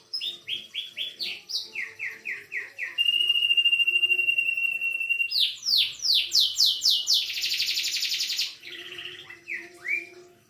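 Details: Canary trained on the songs of other birds (cililin, katem, sogon, sikatan londo). It sings a fast, varied medley of repeated high sweeping notes, a long steady whistle, then dense buzzy trills and more descending slurs, with faint voices in the background.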